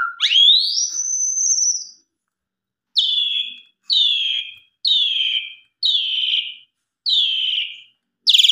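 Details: Asian pied starling in lively song, a lure to get other starlings singing and showing its repertoire; a long rising whistle sweeping upward, then six similar short descending whistled notes repeated about once per second.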